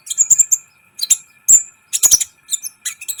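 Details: Sunbird song meant to make other birds excited, kept as a training recording: bursts of very high, thin chips and short whistles separated by brief pauses, with a faint constant hum behind.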